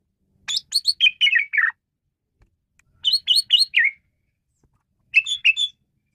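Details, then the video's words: Three tight phrases of rapid chirping whistles, each falling slightly in pitch, from an Asian pied starling, set against near silence. "Ocehan Burung Jalak Suren"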